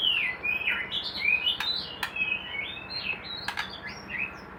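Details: Caged white-rumped shama, kept for breeding in a hanging cage, pouring out a continuous stream of high, twisting whistles and chirps, broken by a few sharp clicks from the cage.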